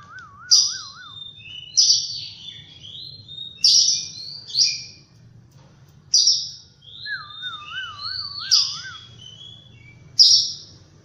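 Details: Morning phrases from an oriental magpie-robin: sharp bright chirps trailing into short sweet whistles, repeated about every two seconds, while a lower wavering, undulating whistle sounds twice in the background.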